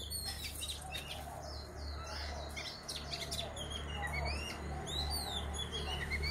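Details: A female Oriental magpie-robin, used in a trap at home, gives a rapid run of varied whistled chirps and short trills.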